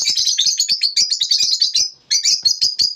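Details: Lovebirds in the morning: dense, high, buzzy chirping chatter, rapid overlapping notes, a brief pause near two seconds before the twittering resumes, with faint clicks and taps underneath.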